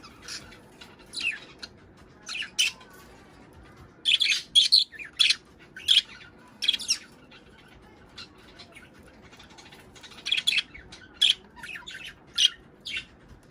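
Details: Budgerigars calling to stimulate breeding and laying: short sharp high chirps and squawks come singly and in quick clusters of two to four, separated by brief quiet gaps.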